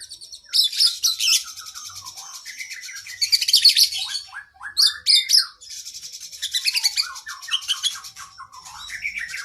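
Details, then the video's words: Long, full song from an oriental magpie-robin used to train caged birds, with layered high rapid trills, scratchy chatter and short descending whistled notes weaving between the bursts. "Masteran Burung kacer Gacor isian Panjang"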